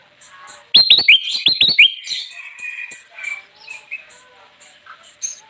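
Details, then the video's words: Golden bulbul (kutilang emas) singing busily to attract wild birds: a quick cascade of sharp, upslurred whistles, fading into softer chattering notes with steady high ticking behind. "suara burung kutilang emas gacor cocok banget buat pikat"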